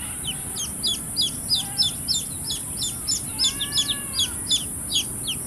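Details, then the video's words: Several baby chicks peep in quick succession, sharp high downward-sliding chirps about three per second, with softer arched calls from other chicks overlapping midway. "Big Sound of Hen kids (Cute Baby Chicks Chirping Sounds)"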